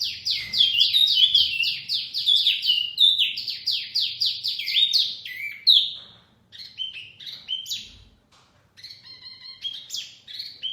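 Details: Mini wambi chirping, a lure sound for trapping birds: a long fast series of repeated downslurred whistles at first, then scattered sharp notes and brief trills after a lull.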